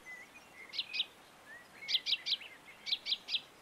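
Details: Common chaffinch recorded in León, Spain, in March 2022, uttering short clusters of two or three sharp notes in quick succession, with faint whistles of other birds.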